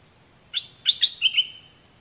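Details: A dok taeng bird's song from 2020, played to teach young birds: an opening high note followed by four clear chirps, the last two lower and more drawn out.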